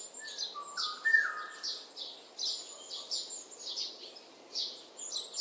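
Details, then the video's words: Oriole, one of several different sounds: two short clear whistles and a bright fluty note in the first second, followed by steady rhythmic high chirps from other birds through the rest. "꾀꼬리 소리 8가지 다양한 꾀꼬리 울음소리 꾀꼬리 새소리 Oriole sounds 꾀꼬리 우는 소리"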